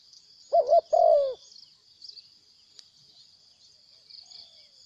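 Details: Spotted dove, a wild bird that came to fight then flew off, giving one low two-part coo, a brief quavering note and a drawn-out sliding one, then quiet with a constant shrill insect hum behind.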